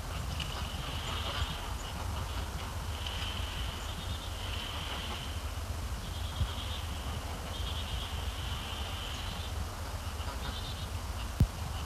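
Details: Canada Geese visiting an ice-covered Sapsucker Woods Pond before sunset, walking on the ice and foraging before taking off; a series of faint, nasal honks recurs every few seconds over a steady low rumble of background noise.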